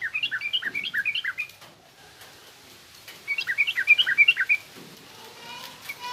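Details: Song of a yellow-vented bulbul, 'garuda' style then harsh 'ngriwik' twitter, meant for training young bulbuls. Two bubbly runs of fast, jumpy chirps; soft rustling and faint noise in between.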